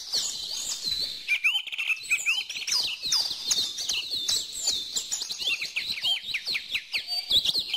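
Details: Lively chorus of birds: fast high chirps, rising and falling whistled slurs and rapid tweet series overlap densely, with calls coming roughly two to three per second.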